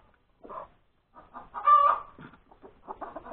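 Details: Scattered clucks from a hen that has just laid an egg rise into one long, loud, nasal note, then resume as quick uneven clucking; Sunday breakfast time, January 31, 2021.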